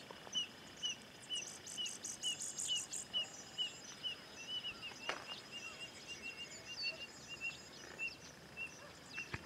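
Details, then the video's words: A Grassland Yellow-Finch (canário-do-brejo), a bird that sings a lot, sings high, thin chirps repeated about twice a second, opening with a quick buzzy trill, over a soft outdoor hiss. "Canto Do Canarinho Tipiu"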